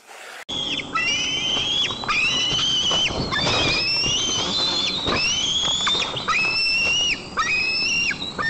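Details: White-tailed eagle chick at a nest in Nizhnyaya Kama National Park, Tatarstan, on 15 July 2024, filmed by a nest camera after a parent arrived with fish. It seized the fish and mantled over it. High whistled squeals rise and fall, repeating almost continuously.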